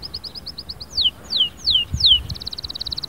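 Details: Canary song in short sections: a row of quick clipped notes, four loud descending whistled slurs, then a rapid fine trill.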